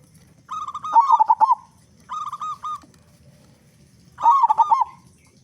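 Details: Local zebra dove singing strongly as a lure for other doves: a bubbling rolled phrase, then a short series of level coos, then another bubbling phrase, against faint low noise.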